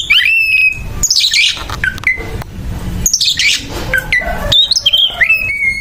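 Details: Oriental magpie-robin in a rough, aggressive fighting song: loud whistled notes sliding up and down, harsh buzzy bursts and sharp rising slurs in quick phrases broken by brief pauses.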